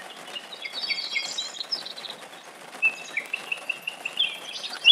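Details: A common nightingale sings in a forest, with varied high phrases and then a quick string of short repeated notes, over a steady hiss of summer rain.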